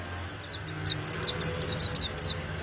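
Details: Oriental white-eye song used as a lure for wild birds: a quick run of about ten high, thin, downward-slurred chirps, fairly soft over a steady low hum.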